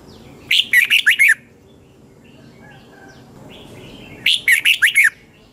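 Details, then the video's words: 'Double-twist' morning song of a red-whiskered bulbul, 2020, used as a decoy sound for song training: two rapid bursts of five clear, bouncy whistled notes separated by nearly three seconds of low background noise. "Luyện chào mào hót sáng 2020 chào mào giọng xoắn kép Quá hay, luyện chào mào hót"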